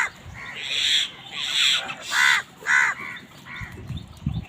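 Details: Repeated hoarse caws, roughly five in a row and slightly irregular, as crows fight over food; low knocks and thumps sound underneath.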